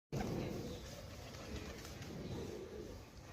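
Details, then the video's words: A pigeon gives low, soft murmuring coos, twice in quick succession, half-buried under steady rumbling background noise. "pigeon original sound"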